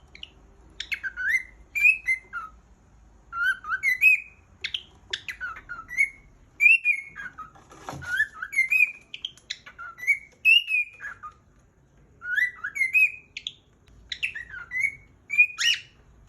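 A cockatiel whistles a lively song of clear, rising and falling notes in quick repeated phrases.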